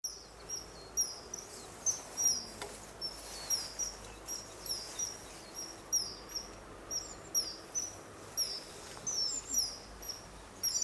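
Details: Male common kingfisher on a perch, filmed 14 March 2012, calling as if to a female: thin, high, piercing whistled notes repeated about twice a second, each short and sharp, over a steady low background hiss.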